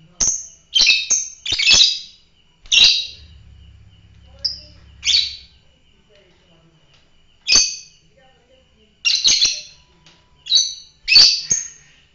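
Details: Fighter lovebird in an energetic run of piercing, scratchy chirps, often in quick pairs or triplets, a dozen or more bursts with brief gaps between them.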